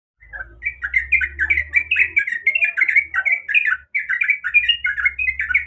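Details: Sooty-headed bulbul, a female calling the male, used as a lure recording: rapid chattering run of short bubbly notes, each quick rise and fall, packed almost without pause, with low hum underneath.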